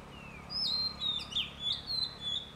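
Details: Oriental magpie-robin seen in Sagar, Shimoga, Karnataka, India, giving high clear whistles that slide and waver, with several sweeping phrases in quick succession over a faint low hum.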